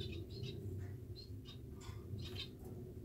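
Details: A pair of household society finches, huddling while they preen after a bath, make a few short high chirps and squeaky notes over a loud low hum.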